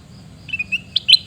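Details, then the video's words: Brief, bright chirps of a sooty-headed bulbul in Pidie, Aceh, Indonesia: a few soft whistled notes, then two louder, sharper notes to close, over a low hum. "Suara Teriakan Burung Kutilang Emas"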